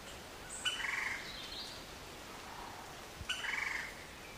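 Lineated woodpecker giving two quick bursts of rapid, ringing notes, each about half a second long and spaced about three seconds apart, over a soft background hiss.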